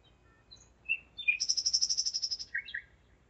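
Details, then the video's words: Singing nightingale at 01:55 on 5 May 2017 in Zeitz, Germany: a few soft whistled notes lead into a long, fast, high, evenly repeated trill of about a dozen notes, ending with lower chirps. "Gesang der Nachtigall - Song of the nightingale"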